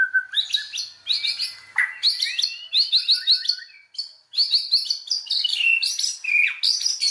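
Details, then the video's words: White-rumped shama song used as a lure to provoke other shamas into full song: rich, varied phrases of clear whistles, rapid trills and chattering notes high in pitch, delivered in quick bursts with a brief pause near four seconds. "SUARA BURUNG MURAI BATU, PANCINGAN MURAI BATU BANGKITKAN EMOSI, AGAR BONGKAR MATERI"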